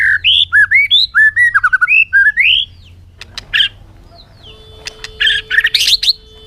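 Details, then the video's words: Bird delivering a quick sequence of short, looping whistled notes for about two and a half seconds, followed by clicks, a steady faint tone and a scratchy chattering burst. "suab noog quaj zoo heev"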